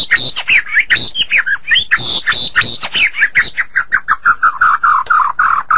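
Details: White-rumped shama, Medan type, in super gacor song: dense fast chattering notes at a rapid, steady pace, gradually lowering into a rhythmic run of short repeated chirps.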